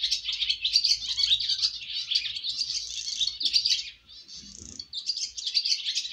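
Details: Newly fledged swallows on first flight keep up a loud, chattering stream of high chirps and trills, dipping briefly in a pause before resuming, over faint low rumble.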